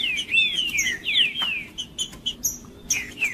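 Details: Male green-winged saltator singing aggressively to provoke rival males: long sweeping whistled slurs, falling then rising, followed by short sharp notes and a final downslurred whistle.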